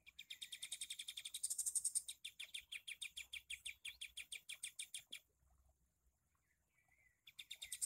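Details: Sooty-headed bulbul recorded for training kept birds to mimic: a long, rapid volley of high chirps, roughly three per second for five seconds, then a pause with a soft thin whistle before the chirping starts again.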